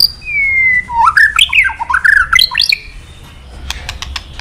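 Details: White-rumped shama, male, stirred to sing by played calls: a long falling whistle, then looping slurred notes rising and falling, ending in a few dry clicks.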